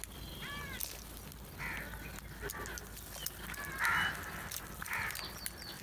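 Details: Crows calling while feeding together; a few harsh caws spaced about a second apart, moderately loud, with a faint higher call early and background noise throughout.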